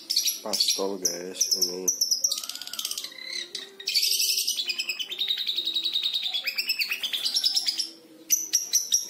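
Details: Five-month-old captive long-tailed shrike learning to imitate lovebird and canary songs; a varied high-pitched medley of sharp chirps, fast buzzy trills and short whistled slides, with a brief low harmonic sound near the start.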